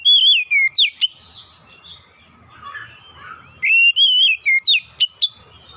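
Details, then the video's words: Lure song of the Oriental magpie-robin for prompting untrained birds to sing. Loud wavering whistles and sharp upswept notes come in two bursts, with a softer warbled passage between them. "kicauan pemikat Kacer bahan susah bunyi langsung gacor"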